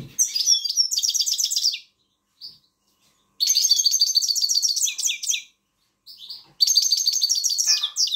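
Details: Grey-crowned goldfinch singing to motivate young birds: three bursts of fast, liquid, high-pitched twittering and trills, each one to two seconds long, separated by short pauses with single sharp notes, against an otherwise quiet background.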